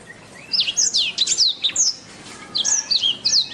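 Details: After a half-second pause, a black-throated canary launches into fast, high, twittering song: steep slurred whistles and chirps in two lively bursts separated by a brief gap.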